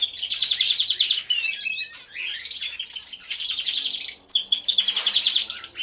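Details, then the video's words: Hidden-camera recording of an aviary of canaries all in song, a constant tangle of high trills, chirps and rattling rolls from many birds at once. "CANTO DE CANARIOS | AVIARY SOUNDS (SONIDO REAL DE UN AVIARIO DE CANARIOS)"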